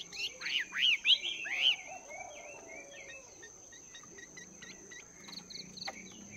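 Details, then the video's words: Morning voice training by a caged Chinese hwamei after two months in the cage: loud rich slurred whistles at first, then softer quick hooked notes trailing off, a steady high whine throughout. "Chim Hoạ Mi Mộc VIP 2 Tháng Lồng Luyện Giọng"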